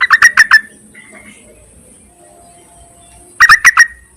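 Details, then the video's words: Male-summoning call of a Yellow-vented bulbul, played to lure birds: two bursts of about five quick, bright, clipped notes, separated by roughly three seconds of near silence. "BURUNG TERUCUKAN MEMANGGIL JANTAN COCOK JUGA UNTUK PIKATAN"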